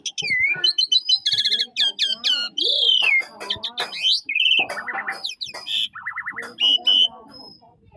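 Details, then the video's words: Starling pouring out a loud, varied song of sliding whistles, rattles, chattering bursts and repeated trilled phrases, changing every fraction of a second, with a voice speaking just before. "Gacorr!! Burung Jalak"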